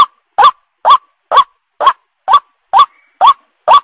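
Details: White-breasted waterhen lure call: harsh, nasal notes, each with a short rising upward twist, repeated steadily about twice per second, nine notes in all, against silence.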